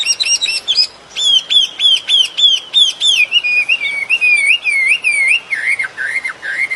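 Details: Bird singing outdoors in nature: rapid high chirps give way to a string of bright whistled phrases that flick up and slur down, then lower warbling notes rising and falling toward the end.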